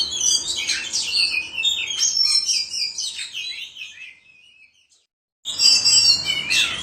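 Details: White-rumped shama, known locally as kacer, singing in the ngobra style: a rich run of varied whistles and rapid chattering trills, pitched high and tumbling, which fades away and breaks into a brief silence before a loud burst resumes.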